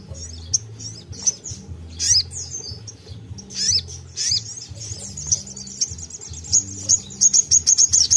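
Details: Sunbird in lively song, used to lure and train untamed sunbirds: high, thin, sharp notes tumble into a rapid run of bright repeated chips near the end, over a faint low hum.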